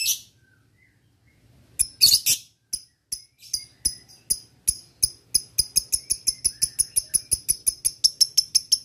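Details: Male lovebird calling a rival, used as a lure: after a few scattered high chips, a long run of rapid, evenly repeated sharp chattering notes, accelerating slightly, about three per second, in a quiet setting.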